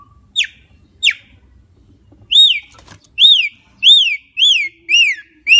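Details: Javan myna song: two sharp falling whistles, then a run of loud arched whistled notes that rise and fall, each with bright overtones, given about once every half second.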